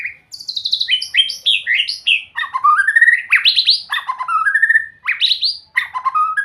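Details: White-rumped shama in sweet, varied song: clear fluty whistled phrases pour out without pause, tumbling descending notes giving way to long rising slurred sweeps and quick trills, over about six seconds with no other sounds.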